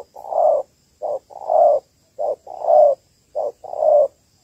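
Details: Malaysian spotted dove hen cooing to excite males, used as a trapping lure; low hollow coos in short-then-long pairs, seven notes in about four seconds, steady rhythm, quiet background.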